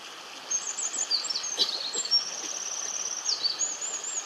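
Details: Japanese yellow bunting, a summer visitor that breeds only in Japan, recorded 7–9 May 2017 at Togakushi in central Honshu larch-forest country. It sings high, thin, sweet phrases of wavering and down-sliding notes over a steady faint high ringing.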